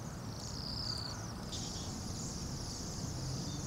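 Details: Bohemian waxwing flock of about 200-300 birds at minus 8 degrees F in Anchorage; high, sibilant trills rise and fall in overlapping waves, with a heavy low rumble of city noise beneath.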